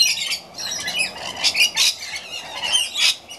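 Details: Several rainbow lorikeets at an afternoon feed, rasping high screeches overlapping in a continuous chattering din, louder bursts coming about every half second.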